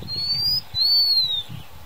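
A Blue-winged minla gives two thin, high whistles, the first short and rising, the second longer and gently arched, against faint low rumble.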